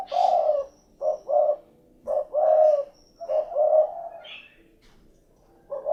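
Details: Spotted dove, known locally as derkuku or tekukur, giving low cooing phrases of short notes followed by a longer drawn-out coo, repeated several times in quick succession; a faint higher chirp appears briefly.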